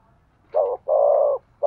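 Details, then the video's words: Spotted dove coos meant to stimulate a male: one short low note, then a long, steady, hollow coo, with the next note starting at the end. "tiếng chim cu gáy thúc gù, tiếng chim cu gáy kích bổi"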